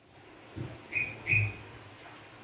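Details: Sooty-headed bulbul song used as a lure: a pair of short, bright whistles less than half a second apart over a steady low rumble and a soft thump.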